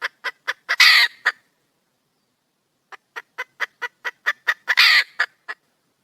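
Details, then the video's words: Female red junglefowl in the wild calling to attract a mate, giving a run of crisp clucks that ends in a loud rasping squawk, then silence, then more clucks building to a second squawk. "le bruit d'une poule sauvage,เสียงไก่ป่าร้องหาถู่หาตัวผู้,ສຽງໄກ່ປ່າຮ້ອງຫາຄູ່ຮັກ, poj qaib qus see"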